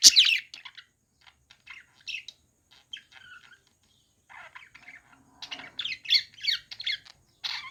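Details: Budgerigars at play: sparse, quiet chirps and short scratchy notes separated by pauses, then a livelier burst of rapid warbled chatter near the end.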